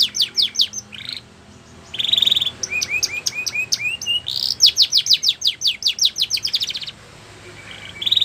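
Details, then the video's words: Belgian canary singing a varied song: quick high downslurred notes, a buzzy roll, a run of rising upslurred whistles, then a long fast repeated trill, with brief quiet gaps between phrases. "Belgian Canary Song"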